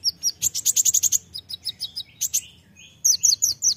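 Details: Kolibri ninja, the olive-backed sunbird, in lively tembakan-style song: a quick series of high sharp chips, then spaced rising notes, a brief pause, and another rapid run of piercing chirps.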